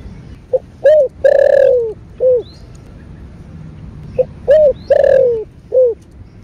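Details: Spotted dove in the 'thổ bầu' calling and urging style, two matching coo phrases about four seconds apart, each with a brief opening note, rounded coo, long sagging coo and a clipped ending coo; quiet background.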